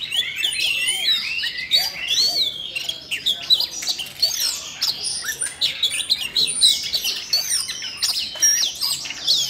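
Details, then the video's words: Siberian rubythroat in long excited song, sparked by training audio for a young bird; nearly ten seconds of rich rambling high warbling, mixing chatters, squeaky notes and whistles with hardly a break. "làm chú oanh cổ đỏ nổi hứng hót chuyện"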